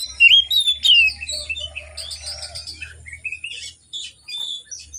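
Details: Morning song of an Oriental magpie-robin, used to prompt hesitant birds into singing: a bright whistled opening slur, then a quieter jumble of chirps and short twittering notes over a faint low hum.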